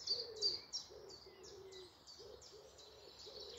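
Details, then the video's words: Woodland birds singing in the morning near Malton, North Yorkshire: rapid high notes repeated several times a second, with lower, softer cooing phrases underneath. "Morning Woodland birds singing"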